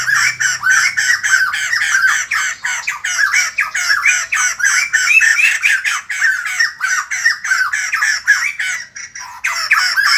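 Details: White-crested laughingthrush, known locally as khướu đầu bạc or bồ chao, singing to greet the morning: a dense, unbroken run of harsh, chattering, cackling notes, rising and falling in quick succession for the whole stretch.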